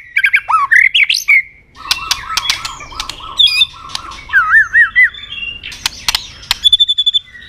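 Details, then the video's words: Fighting song of a white-rumped shama with tail-snapping and double notes: quick twittering trills, a string of low buzzy repeated notes between sharp clicks, then wavering whistles and a thin high tone. "chòe lửa tạch đuôi âm kép kích lửa hiệu quả.dìu lửa chuyền mùa 2 hót đấu lên lửa cực nhanh"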